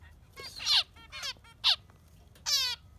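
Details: Yellow finch giving short concert phrases: a buzzy chatter, a few quieter rasping notes, a loud single chip, then a harsh drawn-out buzzy note.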